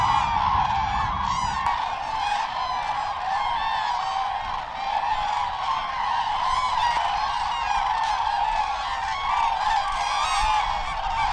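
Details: At the annual spring gathering of about 15,000 Common Cranes at Trandansen, Sweden, in the evening, the flock keeps up a dense, unbroken chorus of loud, rolling trumpet calls, with a brief low rumble at the very start.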